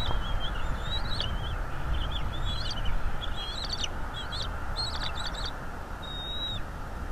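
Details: Bald eagle on its nest in North East Florida, recorded by a nest camera, delivering a rapid run of high, piping, chittering whistled notes in bursts, ending with one longer clear whistle, against a steady low background rumble.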